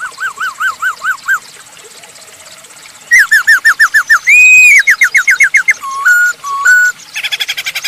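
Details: Masked laughingthrush in vocal form, used as a lure for other birds: rapid trains of short rising whistles, a long arched note, then level whistles and a burst of harsh chatter.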